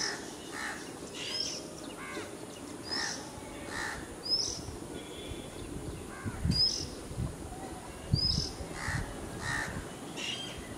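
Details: Repeated harsh caws from a house crow, Type 2 call, coming irregularly every one to two seconds over about ten seconds. Brief high, sweeping chirps from another bird come through between them against steady low background noise.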